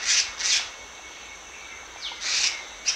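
Black-naped monarch giving short, harsh rasping bursts, two early and two late, with a quick high down-slurred note between them.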